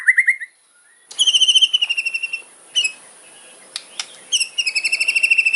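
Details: White-rumped shama delivering a fierce 'kretekan' fighter song full of sharp fills: brief swooping whistles, then long, fast, very high ticking rattles in several bursts, broken by sharp clicks and short pauses.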